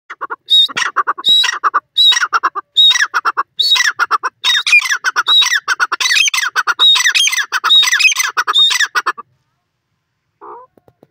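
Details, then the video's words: Francolin giving a loud, harsh, grating series of squawking notes in rapid, uneven bursts for about nine seconds, followed by silence and one brief faint note near the end. "speech of the francolin"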